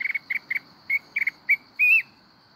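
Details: Mountain-form red-whiskered bulbul in wild-type song, Binh Thuan: quick, bright chirped notes in pairs and triplets, ending in a longer rising warbled phrase, over a thin, steady high whine.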